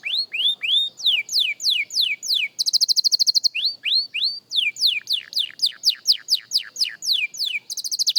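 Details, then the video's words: Young canary practising song as a beginner, mixing rising slurs and descending whistled notes with a burst of very fast, buzzy high trilling in the middle, then more repeated sweeping syllables. "Young Canary Singing Practice – Surprisingly Good for a Beginner!"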